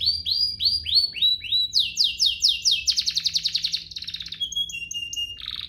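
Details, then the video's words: Canary singing a luxurious, varied song for tutoring juvenile canaries and coaxing them into song: a series of rising whistled slurs, then bright repeated downward chirps, buzzy trills and a steady high whistle. "Cengkoknya MEWAH, Efektif buat Masteran kenari paud dan pancingan kenari biar gacor"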